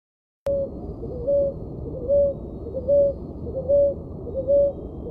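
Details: Ruddy ground dove (Columbina talpacoti) singing: a steady series of six soft, short, mellow coos on one low pitch, spaced under a second apart, over a constant low background hum.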